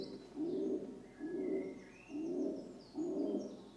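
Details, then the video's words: Four low, mellow coos from a rock dove, evenly spaced under a second apart, with faint thin chirps from other birds in the background. "Rock Dove (Columba livia) Sound Effect"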